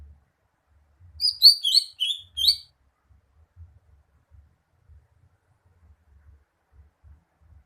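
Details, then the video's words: Short burst of tumbling high chirps and twittered whistles from a greater green leafbird lasting under two seconds. Near-silence follows, with occasional faint ticks. "Kicauan burung cucak hijau"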